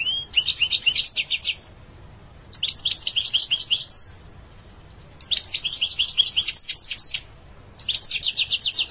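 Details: A European goldfinch sings in phrases of about one and a half seconds, each a rapid high twittering trill, separated by roughly one-second silences, four phrases in all.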